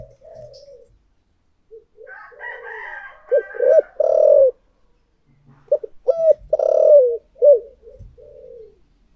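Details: Spotted dove decoy singing thổ-style: soft cooing, loud stressed coos in two groups with bent, downslurred notes; higher chirping from another bird is heard early on.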